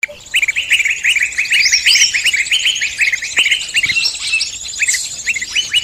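Busy chorus of small birds: rapid, repeated high chirps, nearly three per second, over a thin, hissing band of even higher twittering.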